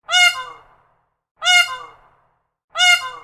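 A peacock gives three loud, nasal, trumpeting squawks, each about half a second long and repeated every second and a half, with silence in between.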